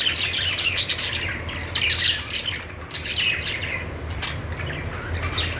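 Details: Parakeet chirping: dense, scratchy, high warbles that peak around two seconds, then fade into softer, steady chatter over a low background hum.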